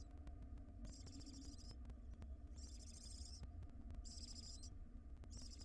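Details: Wild barn owl mother delivering a ring-necked parakeet to her nest box. Loud, harsh hissing screeches in four bursts of about a second each, separated by short pauses, above a low continuous hum.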